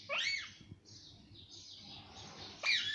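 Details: Pet talking parrot, known for saying mummy and papa, gives a harsh, noisy high call, then a quiet stretch and another raspy burst near the end, over low room hum.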